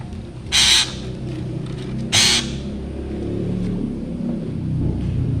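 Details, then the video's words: Black drongo calling with two loud, harsh screeches about one and a half seconds apart over a steady low rumble that grows toward the end. "srigunting hitam gacor suara menyeramkan"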